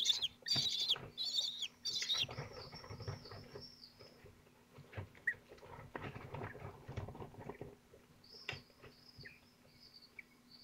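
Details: Twelve-day-old falcon chicks at Théding on 22 June 2023, struggling over large prey as they feed. Scuffling and rustling come first, followed by series of high, thin, wavering squeals.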